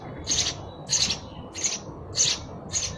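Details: Five evenly spaced sparrow chirps, each a short harsh high burst about every 0.6 seconds, clear over a quiet background.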